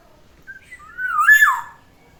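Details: Pet black-naped oriole at morning time gives one mellow, flute-like whistled phrase that wavers upward and then slides down, clear and close against a quiet background.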